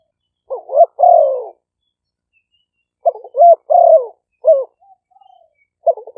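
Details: Spotted doves recorded live for playback to attract wild birds, Roi Et, Thailand; about twenty-two cooing phrases a minute, wavering double notes and long falling coos, with a faint softer coo between phrases.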